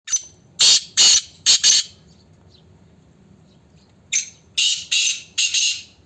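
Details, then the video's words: A black francolin gives loud, harsh, grating phrases of four rasping notes, two phrases about three seconds apart, with quiet between them. "black francolins Bird sounds kala Teetar ki awaz"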